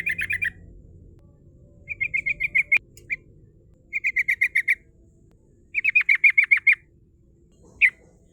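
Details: Lively female yellow-vented bulbul giving rolling 'ngerol' phrases meant to draw in rivals; runs of five to nine rapid, bright, chattering notes repeat every second or two, ending with a single isolated note, a faint click and low hum behind.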